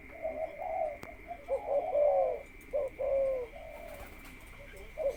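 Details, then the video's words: Spotted dove, caged ground decoy readied for breeding, gives a rolling coo, a pause, then short notes and a long falling coo, over a steady high-pitched hum. "บำรุง + พาต่อ ก่อนเข้ากรงผสม นกเขาใหญ่ต่อดิน"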